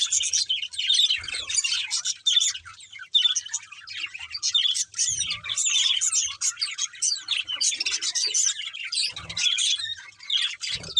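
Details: Steady chirping of budgerigars, a constant bright chatter of short tweets, squeaks and warbles from several birds, occasional low knocks.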